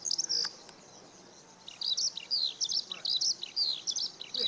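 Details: Eurasian skylark at Okayama Airport's fourth parking area, Japan, sunny 5 June 2013, Lumix DMC-FZ150: a burst of high chirps, a short lull, then a renewed stream of rapid, rising and falling whistled phrases.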